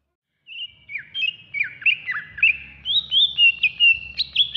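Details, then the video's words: Green leafbird, a caged songbird, singing a master song meant for training: a chattering, varied string of whistled and slightly harsh notes that climbs toward the end. "Masteran Terbaik Cucak Ijo"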